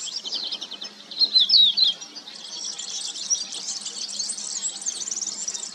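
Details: A few bright whistled phrases from a crested lark, sweeping down and up in quick succession, then fading into a constant high-pitched twittering chorus.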